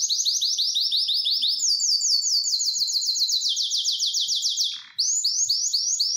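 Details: Canary, worked up and wanting to mate, sings long runs of rapid, sweeping high notes. The trill briefly speeds and drops in pitch, pauses with a soft rasp, then resumes.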